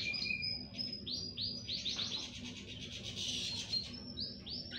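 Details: Chorus of several domestic canaries singing together: fast high trills and rapid rising chirps, a dense rolling passage in the middle, then repeated swelling notes toward the end, with a steady low hum beneath.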